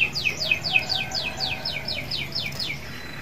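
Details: Canary song meant to encourage other canaries to sing: a regular series of high descending slurred notes, about four per second, over faint background noise.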